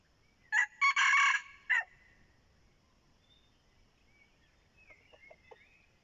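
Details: Decoy red junglefowl kept to lure wild birds crows once, a loud raspy four-part crow with a drawn-out middle section, followed by silence, faint bird whistles and a few soft low clucks.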